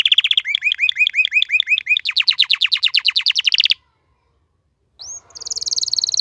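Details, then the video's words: Caged male canary singing: rapid looping whistled notes give way to a dense fast rattle, then silence of about a second, a short upslurred note and a fresh buzzy trill. "صوت كناري canary"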